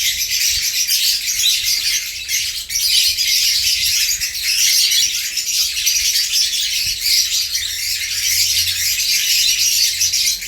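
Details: African lovebirds in a cage, a freshly transferred pair (parblue opaline hen, sable violet clear pied ino cock) getting territorial with next-door birds, 20 April 2020; constant piercing squawks and chirps blending into a steady shrill din, faint low rumble beneath.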